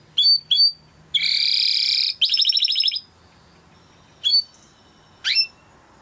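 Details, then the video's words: Timbrado canary singing during training: paired sharp chirps, then a dense buzzy roll and a rapid pulsing trill, followed by quiet and a couple of isolated upward-sweeping notes. "Υour canary will sing UNSTOPPABLY"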